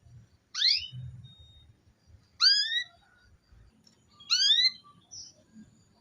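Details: Female canary calls aimed at making a male sing: three rising harmonic chirps about two seconds apart, each sweeping sharply upward, plus a short faint note at the end and a low murmur underneath.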